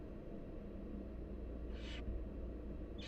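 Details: One breathy hissing screech from a wild barn owl nestling during feeding by the mother, followed by the start of another at the very end, over a low droning background.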